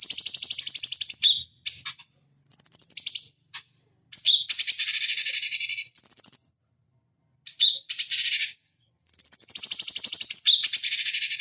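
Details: Cucak cungkok bulbul used as a lure and therapy recording for fighting birds: bright high whistles leading into dense buzzing chatters, repeated in uneven phrases with short silences between.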